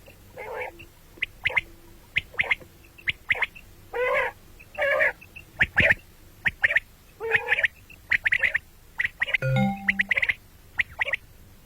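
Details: Common quail calling, described as heard in the morning and at night: sharp clipped notes near the upper middle register in quick irregular bursts, mixed with longer harsh rasping blobs lower down, roughly seventy sounds a minute, plus a brief low buzzy noise.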